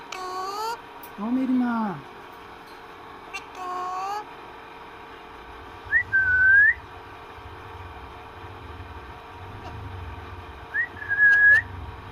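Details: Pet parrot talking with its owner at home: voice-like harmonic phrases, a low falling vocalisation, then clear rising whistled notes repeated about every five seconds, with a faint low hum in the room.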